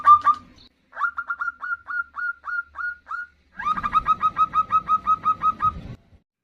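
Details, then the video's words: Zebra dove female calling the male, giving runs of short, evenly spaced ringing notes, first a slower series, then a faster string of about fifteen pulses over a low background rumble. "Suara perkutut betina memanggil jantan"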